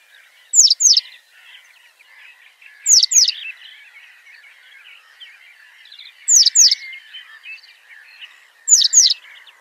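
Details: Citrine wagtail singing: short loud phrases of two or three steeply falling high buzzy notes, repeated about every two to three seconds, over a steady background chatter of softer chirps from other birds.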